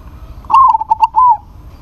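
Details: Zebra dove of a local strain calling a rival that replies. Crisp series of short stuttered coos running into a smooth prolonged coo, with little background beyond a faint low rumble.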